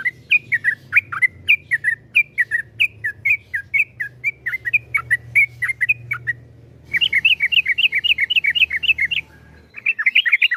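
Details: Yellow-vented bulbul (trucukan) in 'ropel panjang' song: a long string of varied slurred, bubbly chirps rising and falling, then a quicker run of evenly repeated notes, over a low background hum.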